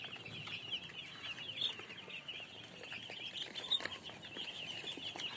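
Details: Baby chicks chirping: a dense chorus of high, short peeps overlapping continuously, many chicks calling at once with no pauses.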